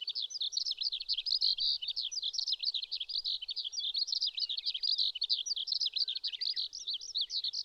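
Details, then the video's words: Wild Eurasian skylark singing in May on a riverbed in the Shinetsu region of Japan: an unbroken, rapid, high-pitched warbling torrent of twittering and trilled notes, pouring out without pause over a quiet background. "ヒバリ 鳴き声"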